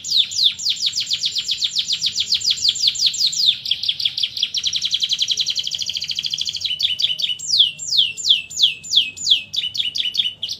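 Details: Canary singing a long rolling song: a continuous stream of rapid, high repeated trills lasting over ten seconds, shifting between tours of quick notes, ending in slower downward-sweeping whistles; no other sounds.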